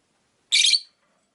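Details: Single harsh broadband chirp lasting under half a second from caged rosy-faced lovebirds, five birds kept by a window, otherwise silent.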